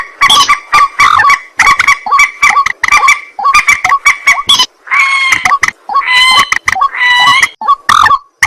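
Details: At night a white-breasted waterhen (mandar batu) keeps up steady hoarse croaks, then shifts to longer, wailing, strained notes in the second half.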